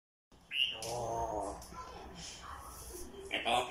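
An African grey parrot talks in a voice like a person's, with a short whistle first and a few clipped, speech-like phrases after.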